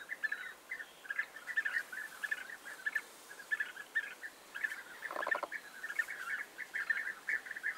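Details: A group of European bee-eaters on 29 May 2021 chatter with dense, overlapping burry calls, broken near the middle by a brief rushing noise burst.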